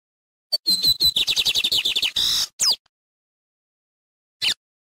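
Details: Loud wild lined seedeater song, a quick run of crisp high chirps that speeds into a buzzy trill, then a rising-falling whistle, silence and one last short note.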